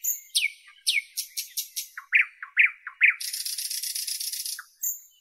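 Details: Northern European nightingale phrase: whistled notes slide downward, then deep chuckling notes lead into a long, loud, buzzing rattle that ends with a thin high whistle.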